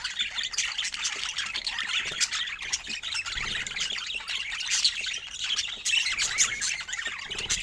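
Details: Pet budgerigars chattering continuously: dense, scratchy high warbling and squawky chirps overlapping throughout, with brief sharper squeaks now and then and no pauses.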